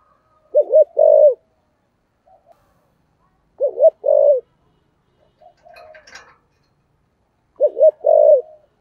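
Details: Spotted dove of the giọng thổ sấm voice, meant to lure wild birds to call; three phrases of low coos, each a quick double note followed by a longer falling one, with faint rustling between.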